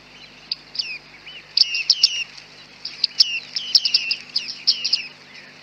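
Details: Bearded reedlings on a very foggy day, recorded with a Panasonic G9 and 100-400 lens: a busy flurry of high, sharp pinging calls and short downslurred notes, several birds overlapping, steady faint background hum.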